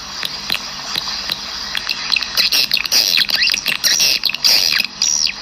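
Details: A swiftlet-house external lure recording: swiftlets twittering in dense, high, chattering bursts, many overlapping chirps and buzzy trills at an irregular pace, with no other clear sounds.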